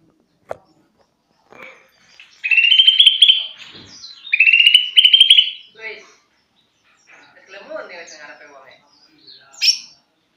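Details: A young greater green leafbird practising its song gives two bright, rising whistled phrases, each about a second and a half long, followed by scattered softer twittering notes and a sharp final chirp.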